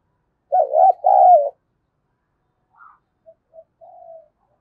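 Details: Spotted dove coo used to stimulate doves to call quickly: a loud double coo with a warbling first part and a steady second note, then a few faint short coo notes.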